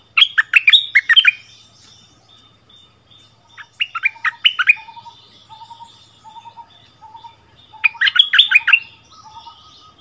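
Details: Territorial song duel between a decoy bulbul and the resident holder, February 2021: loud bubbling whistled bursts at the start, middle and end, with soft, low, evenly repeated notes between them.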